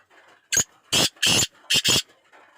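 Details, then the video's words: Kala teetar, the black francolin, delivers a five-part grating call: a short rasp, two long harsh notes, then a rapid double note, with low murmuring in the background. "Pure laka kala teetar ki awaz"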